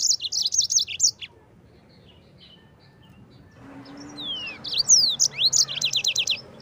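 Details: Yellow-fronted canary rolling song for training Oriental white-eyes: a fast run of high chirps, a pause, then falling and rising whistled slurs leading into a rapid series of repeated notes, over faint background noise.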